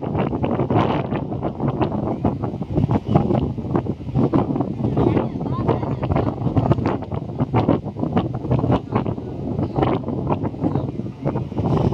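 Strong wind buffeting the microphone, with faint speech and a low rumble underneath.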